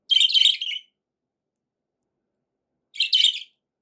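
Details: Budgie warbling in two rich, scratchy high-pitched bursts, the first longer and chattering, the second after a two-second pause; no other sounds.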